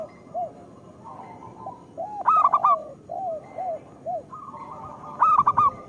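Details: Local zebra dove lure song for stimulating lazy or moulting doves to sing: soft lower coos repeated steadily, broken by two quick staccato bursts of brighter cooing notes, over a constant low hum.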